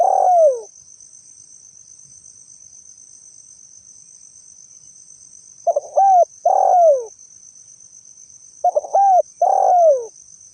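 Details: Spotted dove calling, recorded as a lure sound: a falling coo at the start, then two full phrases of stuttering hoots ending in a long downslurred coo, spaced about three seconds apart. A constant high-pitched insect tone runs throughout.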